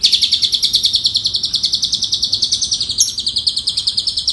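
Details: Asian pied starling fill-in song used for training other birds: a continuous, loud, fast trill of sharp repeated notes, about seven per second, slowly rising in pitch.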